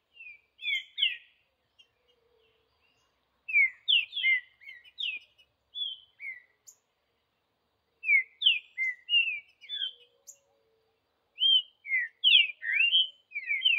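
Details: Green-winged saltator song from the wild, recorded in the bush: three bursts of rapid, varied whistled notes, slurred up and down, with silent gaps of a few seconds between bursts.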